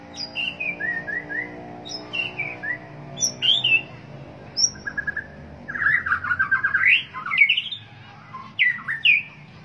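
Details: White-rumped shama singing a varied phrase of clear whistled notes, slurred rising and falling, with brief sharp high chips between phrases and a rich run of fast warbled notes in the second half.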